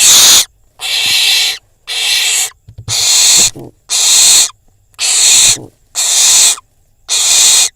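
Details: Barn owl young in Israel, nest camera, after being brought prey and feeding alongside a pigeon; regular string of eight rough, breathy screeches about one per second, with faint scuffing sounds.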